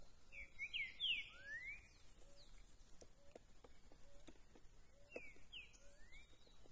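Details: Green-winged saltator, a fast-singing bird whose song is described as curricutil turning into boi com cuicado, recorded 13 September: loud whistled phrases, sliding and rising, sung twice, over a steady low note repeated about once a second and faint background birds.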